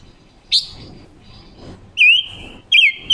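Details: Wild-caught female Red-billed leiothrix used as a decoy, October 2021, singing to lure birds and coach their song: a bright high note, then two loud slurred whistles, each bending down and then holding level.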